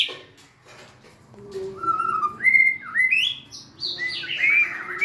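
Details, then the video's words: White-rumped shama giving slow, clear whistled notes that step upward in pitch, a low hum underneath, ending in bright sliding phrases. "Big Sound Birds Singing Chirping, Dancing And Beautiful Tails Wagging - Birds White-rumped shama"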